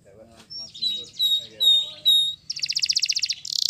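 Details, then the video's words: Spanish Timbrado canary singing a training song: soft low notes, then clear whistled slurred notes repeated about every half second, followed by a dense high buzzy trill. "The Best Canary Training Song"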